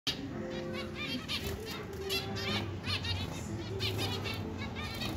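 Zebra finches give quick nasal, buzzy calls over steady low background tones and wing flutter.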